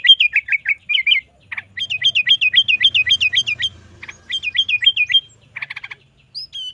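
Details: Sooty-headed bulbul in lively 'gacor isian' song, used as a training recording for bulbuls: quick runs of zigzag whistled notes repeated several times a second, broken by short buzzy rattles, with a faint low hum beneath.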